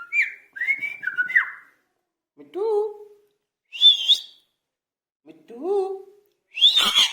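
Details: Indian ringneck parakeet, reportedly angry, alternates whistled slurs with lower, falling word-like syllables in separate bursts about a second apart, closing with a harsh, noisy screech.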